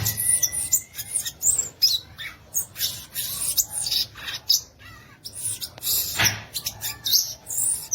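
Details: Violaceous euphonia pouring out a loud stream of high, piercing chips and sweeping whistled notes, mixed with scratchy bursts and one long steady tone early on.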